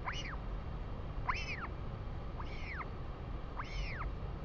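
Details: Northern royal albatross calls at a nest with chick and both parents at Pukekura/Taiaroa Head, New Zealand: four arched, whining notes rising and falling about once a second over steady low wind rumble.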